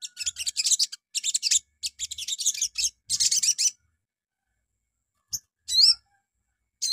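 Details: Little spiderhunter (sogon) lure song played in the morning to provoke other birds: several bursts of fast high chattering notes, then after a pause a loud, wavering whistled phrase and another starting.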